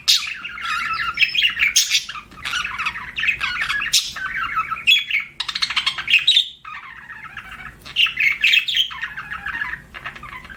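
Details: Pet budgie chirping in repeated phrases of scratchy, rippling warble and squeaky chatter, each lasting a second or two, separated by short pauses, with sharp clicks between them.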